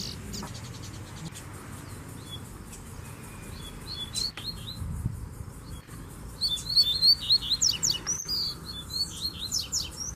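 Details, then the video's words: Several double-collared seedeaters (coleiros) sing at once, with quick high chirps and short twittered phrases thickening into busy overlapping chatter in the second half, over a low background hum; a female is present. "Baderna de Coleiros Cantando"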